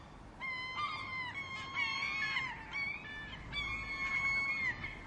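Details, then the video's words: Seagulls calling loudly: long, drawn-out wailing notes held level then bending down, in overlapping bursts from more than one bird, clear and close. "The Sound of Seagulls | Why Are Seagulls So Noisy?"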